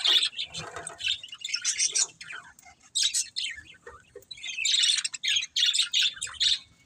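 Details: Several budgies chirp in lively bursts of high, scratchy tweets and warbles, separated by short quiet gaps.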